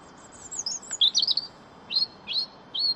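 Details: European robin (Erithacus rubecula) song: a thin, high warbling phrase of sweet trills, then three short rising whistled notes spaced about half a second apart.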